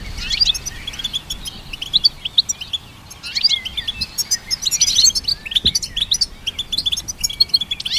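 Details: Goldfinch hybrid singing, its song meant to train songbirds. Clusters of rapid chirps and buzzy twitters arrive in waves roughly every second or two, with a short quieter stretch near the start.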